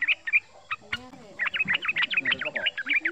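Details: Young male yellow-vented bulbul calling, under one year old, used as a lure: a few separate chirps, a click, then a rapid rattling run of bright notes, with faint voices underneath.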